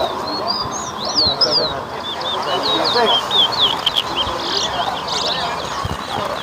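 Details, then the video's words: Towa towa (chestnut-bellied seed finch) competing in a bird racing whistling contest at Better Hope, Guyana: a rapid stream of high, sweet warbled whistles and twittering slurs for several seconds, with voices and crowd chatter underneath. "TOWA TOWA BIRD WHISTLING COMPETITION"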